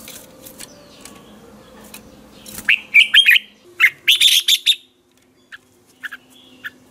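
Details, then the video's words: Red-whiskered bulbul in a lively morning training song, ché style: a rapid string of bright, warbling whistles in two bursts lasting about two seconds, followed by scattered faint chirps. "Chào mào hót ché luyện giọng quá hay 2020, luyện chào mào hót sáng, cách luyện chào mào hót căng lửa"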